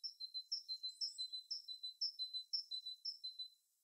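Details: Birds in their natural habitat: a high, thin song of paired notes, a brief slurred upper note followed by a flat lower whistle, repeated about twice a second in an even rhythm for nearly four seconds before stopping, with no other sounds.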